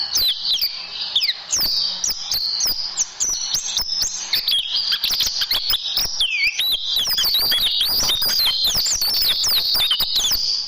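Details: Tutor recording of oriental white-eye for training caged birds: dense, fast high-pitched chirps and sliding whistles that overlap almost continuously, with sharp clicky notes between, becoming busier and louder in the second half.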